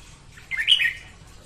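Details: Morning song of a female red-whiskered bulbul, used to train caged birds and lure wild ones into traps: a single brief, slurred warbling phrase lasting about half a second amid faint background hum.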